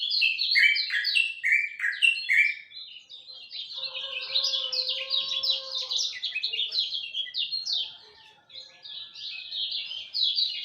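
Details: A lemon-bellied white-eye sings at dawn: rapid bursts of high, downslurred twittering notes in long runs, briefly pausing, with a steady low droning tone in the middle.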